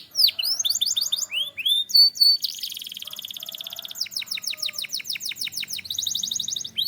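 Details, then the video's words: Belgian canary in full song, with rows of quick falling whistled notes, a dense buzzing trill, then long series of sharp descending chips that slow and shift into a softer rolling phrase. "Belgian Canary Singing"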